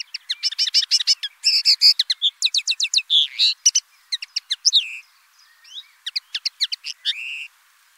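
A common linnet sings a fast, twittering jumble of chirps, trills and buzzy notes, all high-pitched, in quick bursts with brief pauses.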